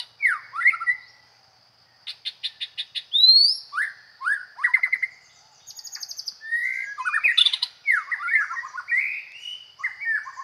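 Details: White-rumped shama from the Isan region in full song: varied whistled phrases with falling and rising slurs, rapid clicking bursts and buzzy trills, separated by short pauses, with a faint steady high tone behind.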